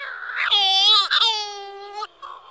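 A Scopoli's shearwater gives two long, nasal, wailing cries, each lasting about half a second and sounding eerily like a crying baby, with little else heard.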